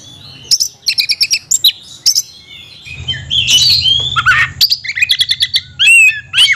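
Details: Oriental magpie-robin (kacer) with an 'isian mewah' song. Short bursts of high chirps alternate with longer slurred, warbled whistles and a noisy harsh passage. Notes shift quickly in pitch.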